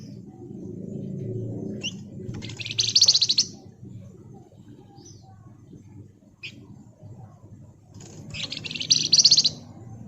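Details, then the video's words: Flamboyan singing in the rapat nyerecet style: two dense bursts of high, rapid, buzzy trilling about six seconds apart, with a few sharp chips between them over low rumbling noise. "Burung Flamboyan Gacor Ngebren Rapat Nyerecet"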